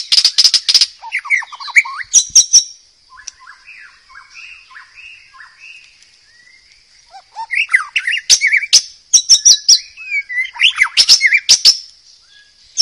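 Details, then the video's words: White-rumped shama in the wild, a training song for young birds: harsh rapid chattering opens, followed by a long soft passage of warbled low whistles, then renewed loud varied phrases and sharp chatters, with a continuous high hum behind. "MASTERAN MURAI BATU DIALAM BEBAS COCOK UNTUK TERAPI BURUNG MURAI BAKAL"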